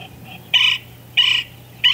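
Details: One of a pair of golden-fronted woodpeckers in Palo Duro Canyon, Texas, gives three loud, harsh, buzzy notes about two-thirds of a second apart, with softer calls just before and a low steady hum behind.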